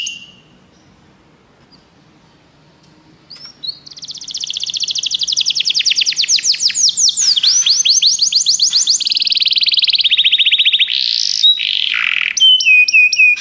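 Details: Canary song meant to prompt a pet canary to sing: after a quiet start, a loud high trilled roll begins, then long runs of rapid repeated notes about every quarter second, shifting into buzzy and whistled phrases.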